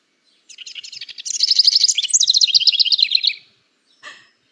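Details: A House Wren, a species in which both males and females sing, gives a fast, bubbling song in nesting season: rapid trilled notes that jumble and shift in pitch for about three seconds, then a brief scratchy note.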